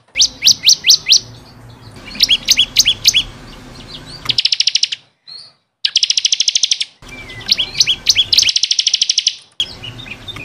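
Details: Vigorous bar-winged prinia song used as a caged-bird training recording. Clusters of quick, sharp downslurred notes alternate with fast rattling trills, joined by abrupt cuts.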